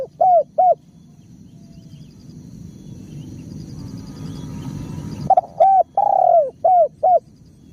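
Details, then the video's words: Spotted dove calling energetically: a pair of short hooked cooing notes, a quiet pause with low background rumble, then a burst of short coos and one longer drawn-out coo, all mid-pitched and hollow. "bunyi tekukur gacor"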